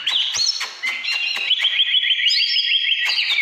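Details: Short căn lửa burst from an Oriental magpie-robin, 2017: a few high whistles, then a fast repeated trill of identical looping notes, about three per second, over clicking sounds.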